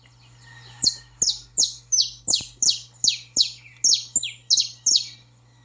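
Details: Saffron finch in 'baderna' style, used to excite and train a pet bird: about a dozen sharp, high, downward-slurred chirps, roughly two or three per second, with faint clicks and a steady low hum.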